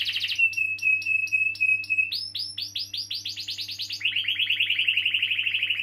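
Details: Canary with long rolls, used to encourage young or stalled canaries to start singing; clicking notes over a thin whistle, then a series of rising swept chirps and a quick descending rolling trill.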